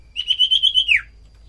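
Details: Common iora (sirtu cipoh) lure song: a rapid, steady whistled trill of pulsed notes held at one high pitch for about a second, then sliding down sharply at the close; no other sounds.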